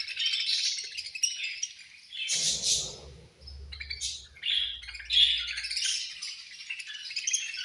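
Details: Feeding-time chatter of budgies, continuous high scratchy chirps and warbling whistles, interrupted by a louder burst with low thudding noise around the middle.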